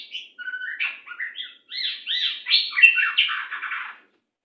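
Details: White-rumped shama training song in the fast, jammed, tight 'macet sepid rapat' style for teaching captive birds: a rapid, dense run of varied chirps, slurs and trills, about three notes a second, ending abruptly into silence.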